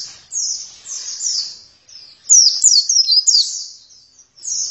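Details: Oriental white-eye singing steadily (gacor): high, thin, rapid twittering phrases of sliding chirps, broken by short pauses, with no other clear sounds.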